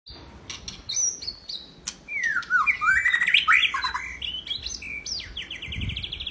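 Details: Caged white-rumped shama used as a training model for other birds, singing a rich varied phrase of slurred whistles sweeping up and down, with clicks and short chattering notes mixed in.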